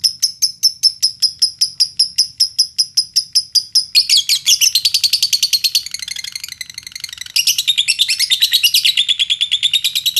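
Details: Lovebird song used in Indonesia to lure other lovebirds into singing. It opens with evenly spaced sharp high chirps, then breaks into fast, shrill, continuous chattering with varying pitch.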